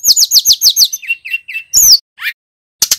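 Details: Male bar-winged prinia in energetic song: six rapid, evenly spaced buzzy chirps, then a few lower whistled notes, one loud sweeping note and a brief rising call. Clean recording.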